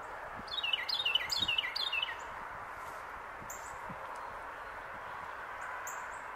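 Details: Carolina wren perched on a branch in Pennsylvania, January 2024, delivering a short burst of three or four quick ringing whistled phrases, then quiet with a few faint high chirps and soft rustling and ticking over a broad hiss.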